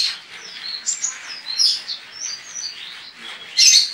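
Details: Caged Javan white-eye (pleci) from Pontianak, West Kalimantan, Indonesia, entered in an online singing competition; high, rapid twittering song of thin whistles and warbled notes, with louder bright bursts near the end.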